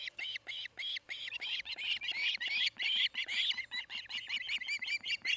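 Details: At a Charlo, Montana osprey nest in summer, a nesting osprey gives a dense, excited stream of high, slurred whistling cheeps, notes running closely together and varying in loudness.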